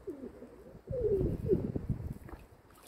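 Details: Domestic pigeons kept by their owner give soft, low coos. A quieter wavering phrase comes first, then two brighter falling coos close together, over a low rumbling background.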